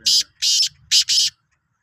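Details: Sindhi kala teetar, the black francolin, utters four loud scratchy notes in two pairs, rough and buzzy, with a brief gap between them; faint low rumble in the background. Recorded 16/03/2023.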